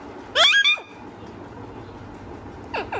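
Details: Talking parrot: one short, loud harmonic squawk-like utterance with falling tones near the start, then two fainter similar notes at the end, over a low indoor hum.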